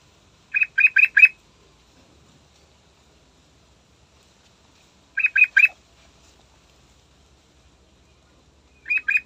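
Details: A yellow-vented bulbul sings in the morning, short bursts of three or four quick, bubbly mid-pitched notes about every four seconds with near silence between, used as a lure recording.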